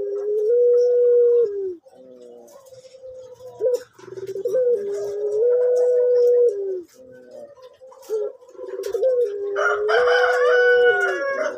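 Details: Orange male collared dove of the pelung variety, noted for its soft voice and kept on a bird farm. It repeats long, level, mellow coos, each lasting about one to two seconds, separated by short breaks and lower fluttering notes.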